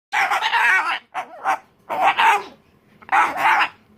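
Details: Umbrella cockatoo throwing a tantrum indoors, giving harsh raspy screeches in four bursts separated by short pauses.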